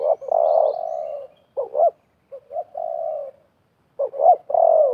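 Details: Wild spotted dove and a trapper's decoy dove dueling during a trapping session, with snares set in a half circle. Low cooing notes: short paired coos followed by long, steady drawn-out coos, repeated with brief pauses.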